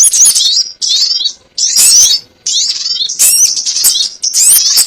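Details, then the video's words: Lure sound of a sogon ontong bird for trapping: five separate bursts of high, scratchy chattering with downward-sliding notes, each burst lasting about half a second to a second. "SUARA PIKAT BURUNG SOGON ONTONG"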